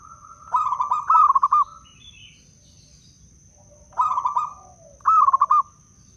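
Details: Zebra dove, a wild local bird from Blora, Indonesia, its song used as a lure to trap doves and to prompt silent doves to sing: bursts of soft rapid cooing trills around one pitch, each about a second long, in three phrases with a steady faint hum behind.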